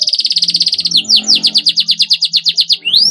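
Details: Canary song used to stimulate young canaries into 'gacor fighter' singing: a very fast buzzy trill shifting into a steady series of clear descending chirps, about three per second, closing with a rising whistle.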